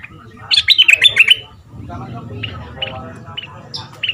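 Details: Red-whiskered bulbul kept as a decoy bird for two months, southern Thai dok taeng style, sung for young birds: one quick phrase of bright whistled notes, then scattered faint chirps over a low murmur.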